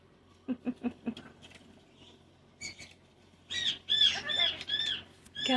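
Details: Indoor pet cockatoo: a few soft low clicks and taps at first, then a run of loud, harsh, raspy chattering squawks packed closely together toward the end.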